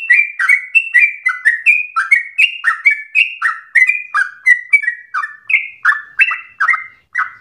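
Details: Sooty-headed bulbul singing vigorously for stimulating and tutoring other birds: dense chain of whistled phrases pairing a high level note with a lower downward slur, rhythmic and continuous, with no other sounds.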